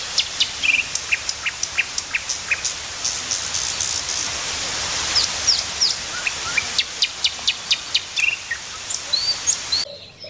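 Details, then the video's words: Birds chirping outdoors: a rapid series of short, sharp high ticks and chirps, some in quick runs, with a few brief whistled notes, over a steady rain-like hiss. "Cute birds with original chirping sounds.."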